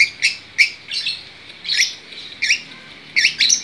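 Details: Long-tailed shrike singing in gacor style with harsh, squawky high phrases delivered in separate bursts every half second or so, mixing rasping notes with brief clear squeaks.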